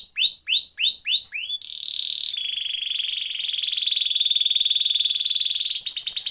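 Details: Canary singing a rolling song meant to tutor and spur canaries that have stopped singing: six quick upward-swept notes, then a long, steady buzzing roll that swells, closing with a high trill.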